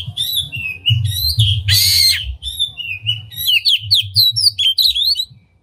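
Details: Oriental magpie-robin in full song with its tail open, played to excite other magpie-robins: a stream of sweet whistles and rapid chattering notes with one harsh, scratchy burst near the middle, over a steady low hum.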